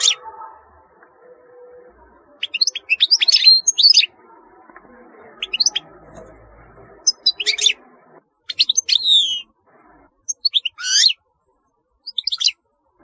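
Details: European goldfinch singing in short bursts of high, thin twittering chirps and trills separated by pauses of a second or more, with a faint low hum underneath.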